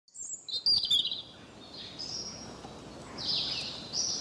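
Brown rock chat giving high, thin chirps and short squeaky bursts, a few clicks early on, over a steady hiss of background noise.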